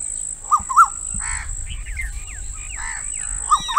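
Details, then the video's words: A female Asian koel gives harsh, grating kik-kik notes in a quick, uneven burst over a few seconds, with a steady high-pitched whine underneath. "Female Koel Bird Sound - Asian Koel Bird Call"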